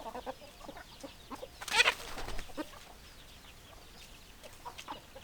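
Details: Chickens clucking with scattered, sparse short clucks, one louder harsh burst near the two-second mark, then quieter clucking over low background noise.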